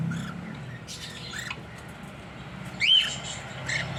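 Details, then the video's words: Sparse calls from a pair of pet cockatiels: soft chirps early on, then one sharp, loud rising whistle near the three-second mark, with a low hum throughout. "My Lovely Cocktail | Cocktail Bird pair"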